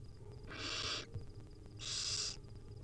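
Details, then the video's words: Wild barn owl nestling begging as its mother feeds it small bits; two loud rasping hissed screeches, each roughly half a second long, over a low background hum. "Hungry baby barn owl nestling get fed tiny bits by their Mom."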